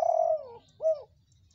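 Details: Spotted dove in red colouring, a lively caller used as bait to set other doves cooing: one long, soft descending coo followed by a brief upturned note, in quiet surroundings.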